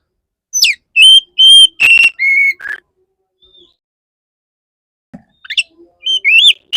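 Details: Courting male Oriental magpie-robin singing a run of loud, clear sustained whistles that step lower, a pause, then sharp downslurs and wavering whistled phrases.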